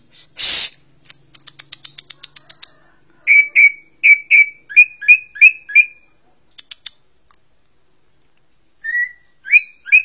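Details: Greater green leafbird (cucak ijo), valued in song contests for its varied singing. A loud harsh burst opens, then a fast ticking series, then about ten rapid rising-and-falling chirped notes, a pause, and more chirps.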